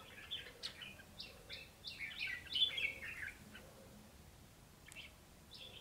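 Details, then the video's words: Red-whiskered bulbul decoy in a trapping cage in Vietnam, described as flaring wildly, gives a run of quick chirped notes for about three seconds, then scattered calls, over low background noise. "Hai chú chào mào mồi so lo ché"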